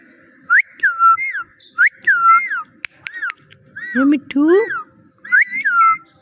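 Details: Pet parrot repeating "Mitthu Mitthu" and meowing: clusters of whistled rising-then-falling notes, two lower nasal meow imitations midway, phrases repeated roughly every second with short gaps.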